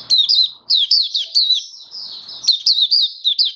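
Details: Oriental white-eye, a kept songbird (mata puteh), in 'buka sing raja' song display on 21 October 2022: a near-continuous stream of bright, rapid slurred chirps with longer thin whistled stretches, and little other sound.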